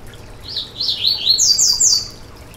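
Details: Song of a Yellow-bellied seedeater, used for warming up a bird to sing: a lively phrase of quick, downward-slurred high notes that step upward in pitch over about two seconds.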